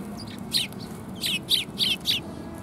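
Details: Sparrows arriving to be fed at a Tenmangu shrine, January 25 2021: a short series of about six loud, high, slightly falling chirps spaced roughly a third of a second apart.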